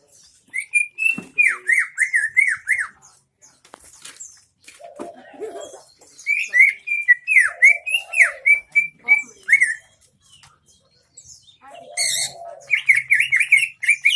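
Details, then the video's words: Isian MB style song of a greater green leafbird from Central Aceh: repeated rapid chains of down-slurred whistled chips, broken by pauses and low soft warbles, ending in a busy high twittering burst. "cucak ijo isian MB"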